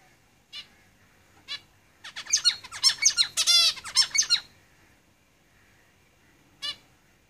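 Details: Zebra finches singing in a cage: a few isolated nasal calls, then a dense two-second burst of fast buzzy, chattering song notes and sweeps, followed by a single call after a pause.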